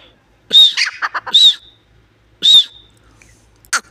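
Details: Partridge gives three loud, harsh arched calls, the first followed by a quick burst of stuttering clucks. A brief sharp note closes the short, otherwise quiet stretch.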